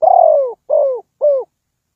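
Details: Low mellow coos from a spotted dove kept as a trapping decoy, one long falling note followed by two shorter downslurred ones, clean with no other sounds.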